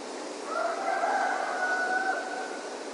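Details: Distant rooster crowing at dawn in Ipanema: one long, drawn-out harmonic call held for about a second and a half before tailing off, faint against a steady background hiss.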